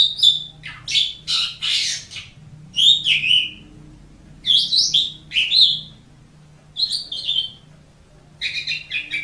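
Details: Asian pied starling song for teaching caged songbirds: loud, harsh rasping bursts and clear whistles in grouped phrases, with pauses of a second or so and a faint low hum behind.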